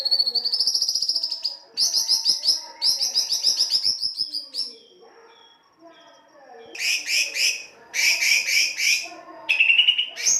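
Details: White-rumped shama lure song in the rough style, meant to stimulate singing: very high, rapid trills and rising whistles in bursts, a quiet pause, then more shrill trilled phrases.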